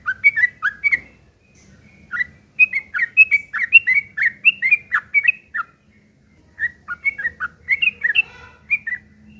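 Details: Yellow-vented bulbul in energetic fighting song, harsh chattering used as a lure to make other bulbuls answer: rapid bursts of short, slurred, warbling notes in two long runs separated by a pause, over a faint low hum.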